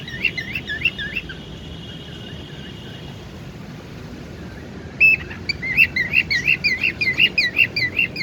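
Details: Tame pet cockatiel, known locally as burung Falk, playing with its owner. It gives a few curling whistled chirps, falls quiet, then breaks into a fast run of bright repeated chirps over steady background hiss.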